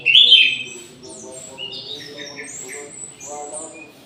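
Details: In an aviary at midday, an orange-headed thrush opens with one loud, rich warbled phrase, then continues with softer, thin high whistles and trills. A low tonal drone sits underneath.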